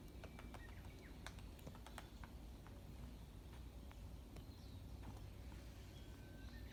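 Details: Japanese pygmy woodpecker pecking busily at trees, changing position often, early morning on 17 April 2020 in Hachimandani, Okamoto: irregular sharp taps over a steady low rumble, with faint thin whistles from another bird.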